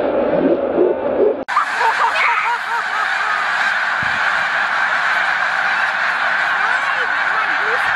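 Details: March 2022 at the mucklands by Montezuma, New York: a short human voice, then a sudden surge of snow goose clamour from a huge gathered flock, constant high-pitched honking filling the rest.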